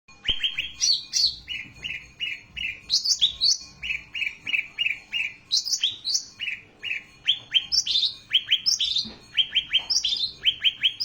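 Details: Ashy tailorbird song, a recording meant for tutoring other songbirds: short clipped notes in pairs and triplets alternating with sharp rising upslurred whistles, phrases repeated rapidly and continuously, bright and high-pitched, with no other clear sounds.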